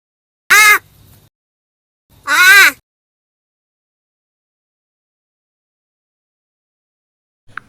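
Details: Talking crow kept by people in Marathi-speaking surroundings: two harsh, nasal caw-like utterances about two seconds apart, each rising then falling, followed by silence.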